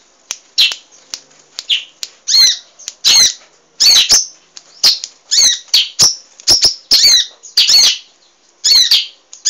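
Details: A cage-bird training recording of an actively singing emprit, or munia: an uneven string of brief, shrill, buzzy chirps and clicks, some doubled, spread over about ten seconds with short gaps.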